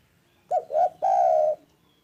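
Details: Loud, calm spotted dove call in three parts: a clipped opening note, a brief arched coo, and a drawn-out mellow hoot that sinks gently at its end, with near silence around it.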